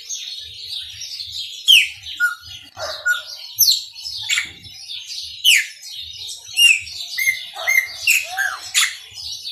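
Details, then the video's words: A chopi blackbird delivers its maranhãozinho song: sharp, sweeping whistles, clear pure notes and rapid chirps packed closely together, with loud accented phrases about every second over a faint low hum. "PÁSSARO PRETO MARANHÃOZINHO CANTA MUITO"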